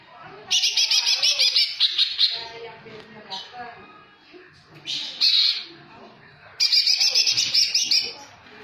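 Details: Greater green leafbird, cucak hijau jamtrok singing with tengkek filler: three loud bursts of rapid, harsh, high trilled notes, each one to two seconds long, separated by quieter twittering and faint voices.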